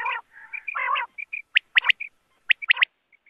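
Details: Quail giving two rough, rasping calls, then sharp whistled upslurred notes in twos and threes, with faint short piping notes between them.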